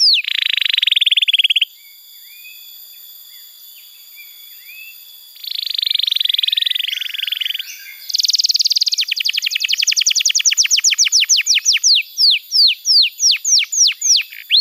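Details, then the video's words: Canary training song meant to get juvenile birds singing. Two dense buzzy rolls are separated by a quiet pause, then a bright fast trill slows into spaced, descending whistled sweeps. "Masteran Kenari PAUD & Pancingan Kenari MACET BUNYI"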